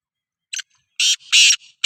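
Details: Black francolin, a Sindhi kala teetar, calling: a short scratchy note, then two loud, harsh, grating bursts separated by a softer rasp, with another harsh burst starting at the end. No other sounds.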